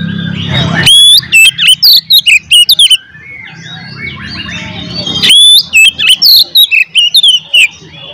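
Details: Fighting song of an oriental magpie-robin, meant to agitate rivals: two bursts of loud, rapid whistled phrases with steep upward and downward slides and clipped notes, separated by a quieter stretch of mixed chirping.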